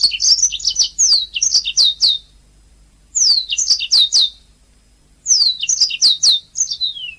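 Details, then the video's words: Canary song for training singing canaries: three phrases of rapid, downward-sweeping whistles repeated in quick series, each phrase about two seconds long and separated by short silences. "Ocehan Suara Burung Kenari"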